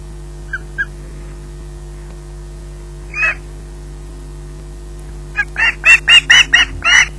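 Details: Osprey squawking while waiting for food, recorded at RSPB Loch Garten: two faint short notes, one lone squawk, then a quick run of seven harsh, even squawks near the end over a steady low hum.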